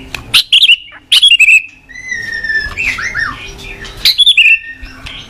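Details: White-rumped shama tutor song for training young birds: sharp whistled bursts, soft falling slurred notes in between, then another loud whistled phrase.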